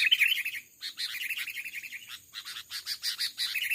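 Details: Amid a fight with a decoy bird in overgrown rubber-plantation scrub, an aggressive wild male Sooty-headed Bulbul pours out fast, harsh, bubbling chatter in rapid bursts that surge and dip almost without pause.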